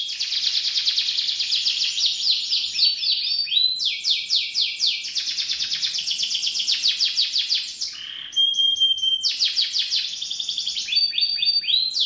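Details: Long canary song of fast rolling trills and chattering phrases at high pitch, with a short dip into lower rasping notes and a clear whistle.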